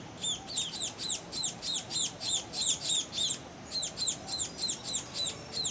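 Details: Begging of two youngster Scaly-breasted munias (Lonchura punctulata particeps) flying back into the nest, Tangkoko, Sulawesi, Indonesia, August 2014; high sharp descending chirps in quick succession, brief pause midway, then continuing.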